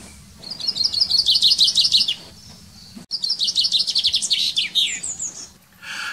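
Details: Common chaffinch (Fringilla coelebs), presumably the male, in a garden in spring: two bright song phrases, each a quick run of high notes tumbling downward and ending in a flourish, about two seconds apiece, over a faint low hum.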